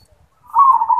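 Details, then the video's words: Zebra dove (perkutut) singing in the 'yoman' voice style: a single low, steady, vibrating coo begins halfway through and runs to the end, with no other sounds. "Perkutut suara yoman | Perkutut Manggung"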